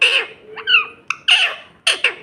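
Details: Pet parrot giving short squawking, speech-like utterances in a small room, harsh bursts with a brief whistled slur between them.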